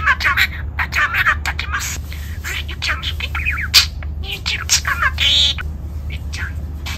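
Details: Pet budgerigar sunbathing on a fine weekend, talking loudly and chattering: a busy stream of scratchy, speech-like syllables, squeaks and short warbles, with a steady low hum behind.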